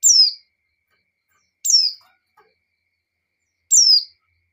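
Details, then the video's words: Three quick, thin, descending chirps from a female white-eye in breeding condition calling the male, with gaps of about one and a half to two seconds and silence around them. "Suara Pleci Betina Birahi Memanggil Jantan,Pleci Jantan Langsung Ngamuk"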